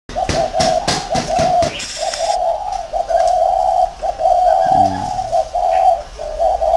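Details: Caged decoy spotted dove in a round cage in Vietnam, giving low, hollow, repeated coos in a steady run of phrases. Several sharp clicks and knocks are heard near the start.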